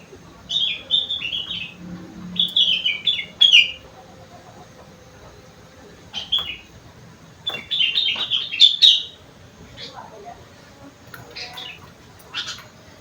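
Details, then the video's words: Kutilang, the sooty-headed bulbul, singing a song fill of rengganis and cucak wilis phrases: quick runs of clear, slightly descending whistled notes in bursts, with long pauses between them and faint chirps later on. "burung kutilang isian rengganis / cucak wilis"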